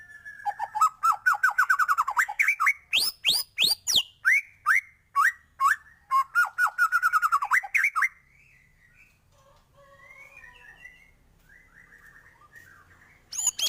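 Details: White-rumped shama in energetic song, about eight seconds of rapid rising whistles and sharp clicking upsweeps in quick succession, then quieter faint warbling before a loud note returns at the end.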